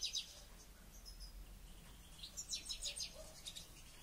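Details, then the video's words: European goldfinch, one bird being trained before a local goldfinch championship, gives high, thin twittering bursts at the start and a quick run of bright chirps near the end, over a quiet low hum. "Goldfinch trainning"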